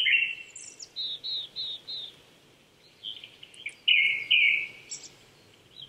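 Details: Morning song of a Japanese thrush at 800 m elevation, Chichibu, Saitama, Japan, April 2019: a rich whistle, then four quick repeated higher notes, a pause and a louder run of fluty phrases, with soft background birds.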